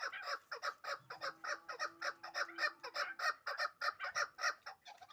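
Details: Hybrid fighting chukar partridges: a loud, rhythmic run of harsh chuck notes repeated several times a second for five seconds, with a faint steady hum behind them.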